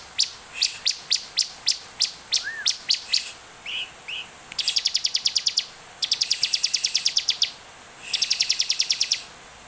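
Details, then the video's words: Olive-backed tailorbird in energetic song, used as a lure to prompt other tailorbirds to sing: sharp high chips repeated about three per second, a few low slurred notes, then fast buzzy trilled bursts of rapid ticks lasting over a second each. "Ciblek gacor penuh emosi cepat dan efektif buat pancingan ciblek agar bunyi"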